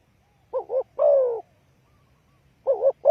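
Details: Spotted dove call used as a lure for trapping: a short wavering two-part coo, then a long hoarse descending croo, with the short double coo repeating near the end over quiet low rumble.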